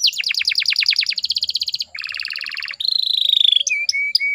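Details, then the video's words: Canary, presented as a female sound meant to get young males singing: fast, very high rattling trills changing speed and pitch, a buzzy lower roll, a long slightly falling whistle and short sharp chips. "PANCINGAN KENARI BAHAN AGAR CEPAT GACORR"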